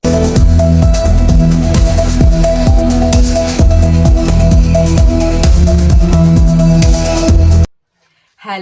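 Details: Loud electronic dance music with a heavy, steady beat, cutting to silence near the end before a brief burst of sound.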